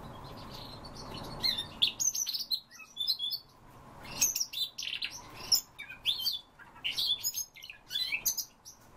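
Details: Siberian rubythroat song, a lively, continuous stream of high twittering, chirping and squeaky whistled notes in quick, varied phrases with brief pauses between bursts.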